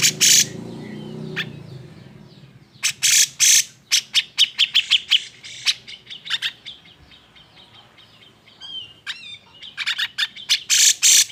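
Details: Cucak jenggot in an agitated provoking song to make other birds sing: loud harsh bursts and rapid sharp chirps in runs, a few bent whistled notes, with low rumbling noise at the start.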